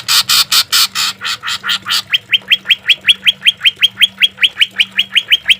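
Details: Green leafbird singing, recorded as training and therapy for caged birds, with harsh notes and 'shots': a run of harsh, raspy notes gives way to a fast series of sharp, rising whistled sweeps, about three per second.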